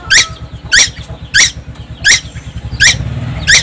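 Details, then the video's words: Six strident, buzzy, descending notes from a young tuwu on Timor Island, repeated roughly every 0.65 seconds, over a persistent low rumbling hum. "burung tuwu Pulau Timor gak pernah diam"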